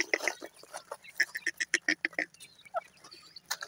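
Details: Francolin, or teetar, from a recording of a male and its chicks, giving a brisk string of clipped, high piping notes about five per second, which then break off into scattered softer sounds.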